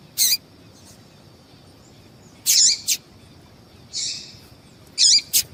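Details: Female yellow-bellied seedeater calling to excite males for singing contests among breeders; short high, slightly buzzy peeps with a lower tonal trailing note, given in pairs or singly about every one to two seconds, with a faint steady high tone behind.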